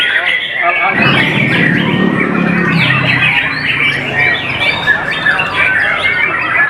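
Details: White-rumped shama pouring out rich, rapid whistled and rising-falling phrases without pause, with a low human voice murmuring underneath during the first seconds.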